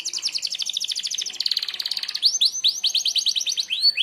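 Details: Canary of the merlok kind singing a sharp shot song for training other birds: a steady rapid trill of high notes, then a series of clear downward-swept whistles repeated about four per second.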